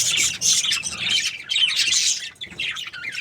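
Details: A happy breeding pair of budgerigars (parakeets) chirping nonstop: dense, bright, squeaky chirps and scratchy warbled notes tumble over one another with only brief pauses, high-pitched throughout.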